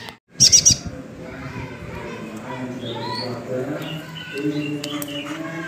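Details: Tame brown-breasted ninja sunbird, noted as an eager singer: a fast run of three or four sharp high-pitched chirps right after a short pause, then faint scattered squeaks over steady background hum.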